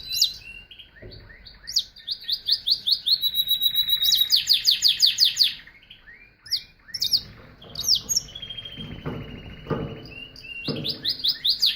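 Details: Energetic canary song of rapid repeated chirped syllables, pulsing trills and rising whistles, with brief rustling noises in the background.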